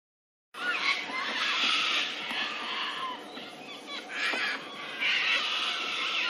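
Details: A lyrebird, one of a pair near a picnic area beside a road in Doongalla, pours out a dense, unbroken run of loud chattering, harsh rasps and clear whistled notes, with a few sharp bursts mixed in.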